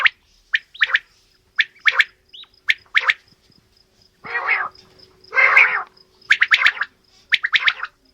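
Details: Quail, male and female calling together: sharp clipped notes mixed with two longer rasping bursts, over a faint steady hum.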